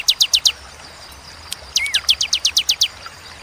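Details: Ciblek, or bar-winged prinia, ciwah cigun style: four rapid high chips, a pause, then a run of about ten sharp notes with one lower slurred whistle near its start.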